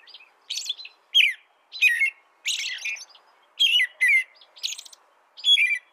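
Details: Rich, rolling phrases from an American robin, alternating lower whistled notes with shrill, high squeaky elements, given at a regular rhythm of roughly one phrase every half second.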